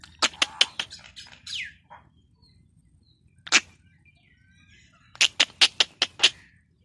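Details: Pet Indian ringneck parakeet: quick clusters of sharp clicks, a short rising whistle near the start, a lone loud click midway, then a final burst of rapid clicks.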